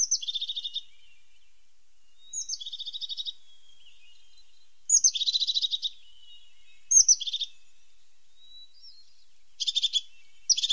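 A crested tit gives short, high, buzzy trills, each a quick run of rattling notes lasting under a second and repeated every two seconds or so, over a quiet background.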